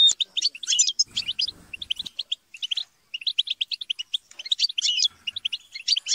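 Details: European goldfinches chattering and squabbling in a group to spur singing. Rapid tinkling chirps in bursts, several soft low knocks early on, and a brief silent gap before the twittering resumes.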